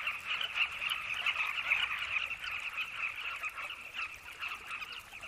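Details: Carmine bee-eaters (Merops nubicus) at a riverside red sandy cliff nesting colony with burrows, excited and mobbing a boomslang near their nests: a dense, unbroken chatter of rolling, throaty mid-pitched notes from many birds at once.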